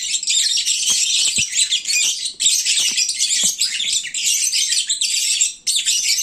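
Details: Well-fed lovebirds dozing at midday yet very noisy: an unbroken wall of high, scratchy chirping and squealing with a few soft knocks in the background.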